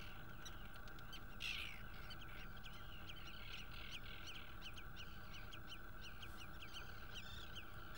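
Common redshanks give short, high piping notes in quick repeated bursts over a steady low rumble.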